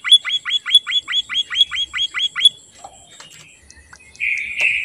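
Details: White-headed munia, singing actively: a run of about eleven sharp, upward-hooked chirps repeated rapidly and evenly, then a pause with faint scattered notes, ending in a brief buzzy rasp.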